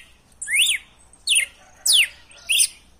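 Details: Red-cowled cardinal, wild song used to stimulate a captive male, four loud, high, slurred whistled phrases, each sweeping up or down, about two every second, over a quiet background.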